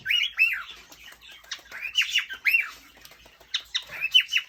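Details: Scratchy, arched squawk-chirps come in bursts from a male cockatiel courting a hen, with gaps of quieter noise between groups.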